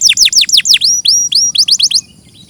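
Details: Canary singing in a clear master recording: quick descending sweeps, a few rising whistles, then short bright chirps trailing off near the end.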